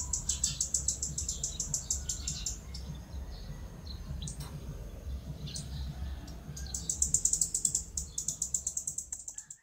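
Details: Call of the Red-keeled Flowerpecker, a Philippine endemic, filmed in forest at Bued River, Northern Philippines, December 2020: bursts of fast, very high-pitched ticking notes, pausing for several seconds before resuming, with faint low background rumble.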